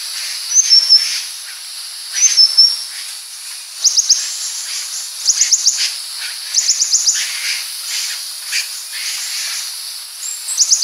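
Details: A purple-throated sunbird (Leptocoma sperata) sings very high, thin, twittering phrases of quick stuttered notes every second or two, over a steady background hiss.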